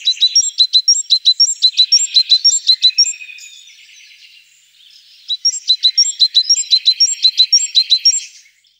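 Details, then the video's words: Tit song: crisp, high, repeated multi-note phrases in steady runs with a brief quieter gap in the middle before the ringing pattern starts again. "Голос Синицы"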